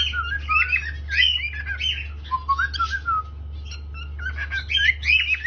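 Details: Cockatiel singing and chirping: a run of whistled, warbling phrases that slide up and down, with short squawky chirps mixed in, over a steady low electrical hum.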